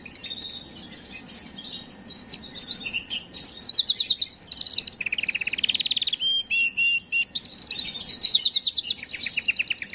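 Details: Canary song played to stimulate females and get them ready: quiet at first, then a varied run of high trills, a lower buzzy roll, whistled notes and more rapid repeated-note trills.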